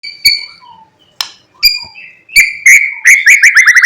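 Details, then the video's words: White-rumped shama singing in the morning, a lure song meant to provoke other shamas into singing. Loud, varied whistled phrases with sharp separate notes, then a fast run of rapid repeated chips and whistles near the end. "Pancingan MURAI BATU GACOR PAGI HARI supaya murai jadi EMOSI BUNYI Full isian"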